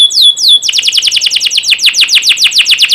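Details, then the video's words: Training song of a canary, played to young canaries so they become keen singers: two sweeping downslurred whistles followed by a long, steady series of quick descending notes, about seven per second. "Masteran burung kenari paud biar gacor"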